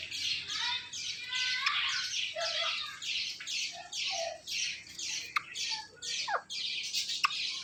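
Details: Pet Indian ringneck parakeet, a talking parrot, giving a fast run of harsh, raspy squawking notes that repeat about twice a second, with a few short lower yelps near the end.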